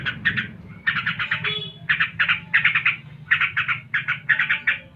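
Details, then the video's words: Yellow-vented bulbul giving shooting ngebren phrases, quick clusters of harsh, squawky chirps rising and falling, interrupted by short pauses, with steady low mechanical humming underneath. "Tembakan SUPER, Trucuk ngebren (gacor)"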